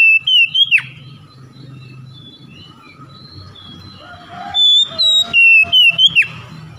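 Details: Oriental magpie-robin song for luring reluctant caged birds into song: a burst of clear whistles with a falling flick, a stretch of soft distant chirps and low rumble, then a second run of ringing whistled notes ending in a downward slur.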